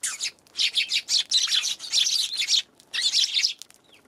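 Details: Eurasian tree sparrows chirp on January 11: dense runs of rapid, high, scratchy chirps in nearly continuous chatter, broken by one short pause before a final burst.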